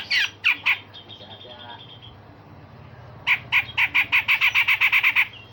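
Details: Grey-cheeked bulbul (cucak jenggot) singing in the harsh rasping and sharp 'shot' style used to train other songbirds. A few loud rough notes come first, then a fast run of about eleven rasping notes. A low hum sits underneath.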